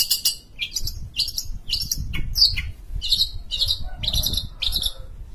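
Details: ['Sumatran long-tailed shrike (cendet) kept as a songbird, singing a steady stream of harsh, squeaky and chattering notes in quick succession, over a low background rumble.']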